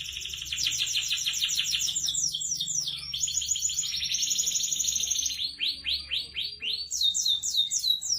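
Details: Canary, an F1 SF bird, singing energetically in a long, sustained song: rapid buzzy trills and rolling chirp series, high-pitched, shifting between phrases every second or so with no pause.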